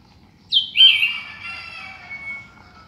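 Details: Sooty-headed bulbul singing in the morning: one short bright phrase opening with a sharp falling whistle, then a burbling warble that trails off into a thin level tone, against a quiet background.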